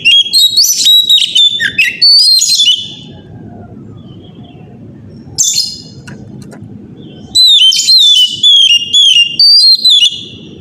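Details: Oriental magpie-robin, or kacer, singing loudly in the morning as a lure to spur other magpie-robins to sing; clusters of piercing whistles and down-slurred notes, a long lull, a short burst, then another run of rapid whistled phrases over faint low noise.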